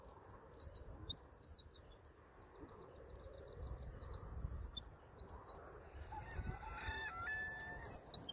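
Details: Black-throated sparrow young begging while being fed by adults: dense, rapid high-pitched chirps and squeaks, rising in intensity toward the end, over soft background noise.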